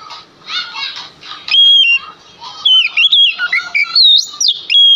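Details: Male Oriental magpie-robin lure song to draw replies from other magpie-robins: a soft, noisy start, then a long clear whistle followed by quick, varied whistled and warbled notes.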